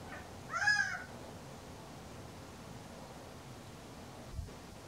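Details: Gambel's quail, a male, on a warm sunny April afternoon, gives one short, loud, nasal, harmonic call near the start, followed by several seconds of low background hiss and a brief faint knock.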